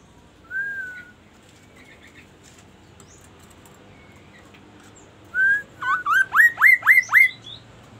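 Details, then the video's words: Magpie-robin singing: a long slurred whistle, a quiet pause, then a loud, clear run of about six quick notes that each dip sharply and flick upward. "KASO KASO Berbunyi MURAI"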